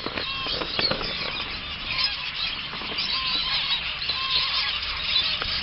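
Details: Zebra finches, drinking water, keep up a dense, continuous chatter of short, nasal, toy-trumpet beeps, overlapping from several birds at once.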